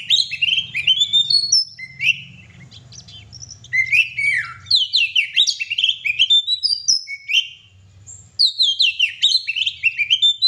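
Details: Kacer, the oriental magpie-robin, singing non-stop in gacor style: dense runs of sharp whistles, downslurred notes and scratchy twitters, briefly softening around the middle, with a steady low hum underneath.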